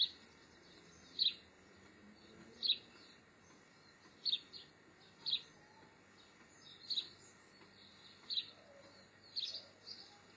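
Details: Juvenile European goldfinches in autumn, filmed in September 2015: short, high, sharp chirping calls repeated about every one to one and a half seconds over a faint steady hiss.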